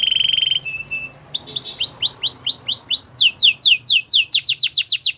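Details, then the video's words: A Spanish Timbrado canary sings a short buzzy trill and a lower note, then a long series of downward-slurred whistles that speed up toward the end. "Melodies canary bird song | Spanish timbrado singing"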